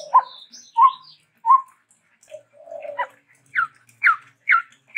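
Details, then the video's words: Chestnut-rumped babbler, a Sumatran bird, singing varied phrases: low mellow whistled notes spaced under a second apart, a soft slurred note, then four sharp downward-slurred chirps in quick rhythm. "Stachyris maculata !!! TEPUS TUNGGIR MERAH GACOR VARIASI"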